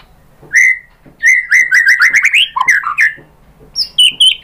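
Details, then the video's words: White-rumped shama in full song as a lure for other shamas: a clear whistle, then a quick run of stuttering notes on a rising line, dipping low slurs, and a few high sharp whistles at the end. "pancingan JITU ‼️ MURAI BATU spontan EMOSI NYAUT jadi GACOR BONGKAR MATERI ISIAN ¦ SHAMA BIRD"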